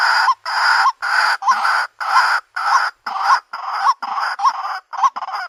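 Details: Female white-breasted waterhen calling for a mate: loud, harsh croaking notes repeated about twice a second in a steady series, each note ending in a short rising tone.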